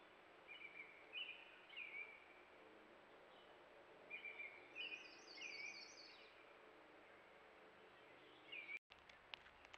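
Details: Purple Finch singing at a Ruffed Grouse drumming log in central Alberta, caught by a trail cam: soft, rambling warbled phrases with quick high notes tumbling up and down, over steady hiss and a brief click near the end.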